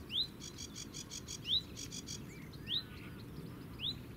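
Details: Sedge warbler singing at the Zouweboezem, Netherlands: a quick run of dry, buzzy notes and sharp upslurred whistles repeated about once a second, over a low background rumble.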